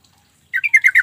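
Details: Sooty-headed bulbul call, played as a lure to draw quiet or silent bulbuls into responding. Five quick, harsh chattering notes start halfway through and repeat about ten times a second, with no other sounds.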